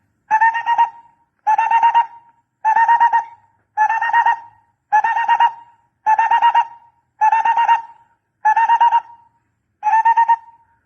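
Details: Barbet calling for use as a decoy lure: short bursts of rapid hollow, tonal hoots, five or six notes each, repeated about every 1.2 seconds, nine bursts in all, with a clean quiet background.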